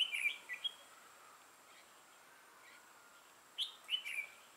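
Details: A red-whiskered bulbul kept as a trapping decoy, 6 November 2018, delivers a sharp, rolling chirped phrase, goes quiet for about three seconds, then repeats a similar bright warble.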